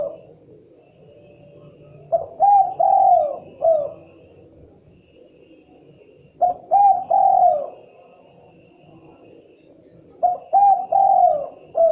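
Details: Spotted dove, known locally as derkuku or tekukur, giving its typical cooing call: phrases of two short coos followed by a longer drawn-out coo and a falling note, repeated about every four seconds, with faint background hum.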